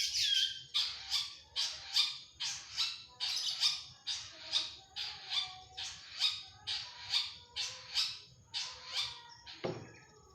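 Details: Long-tailed shrike giving harsh, rasping squawks, about fourteen evenly spaced notes a little over one a second. A short thin whistle comes at the start and a soft thud near the end.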